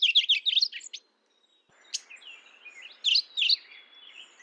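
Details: Mourning warbler giving a rapid string of repeated two-part notes for about one second, slightly falling in pitch, followed by a pause and a few softer high chirps from another bird.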